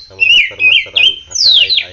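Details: Oriental magpie-robin in full song, cared for with morning sun and dew: loud, rich whistled phrases that waver and slur up and down, ending in bright descending whistles, all closely packed.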